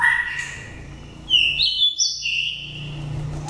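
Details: Wild-voiced oriental magpie-robin from Dak Lak, raised from the nest and five seasons old. Its song is used to stir other birds or lure wild ones. A loud run of high, sweet whistles steps upward, then settles on a long sustained note.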